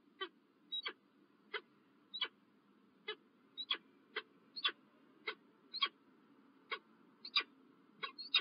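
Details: Morning calls of a peregrine falcon at Illkirch-Graffenstaden, France, 27 January 2023: sharp broadband notes roughly every half second, a few carrying short high whistled slurs, over steady low background hum.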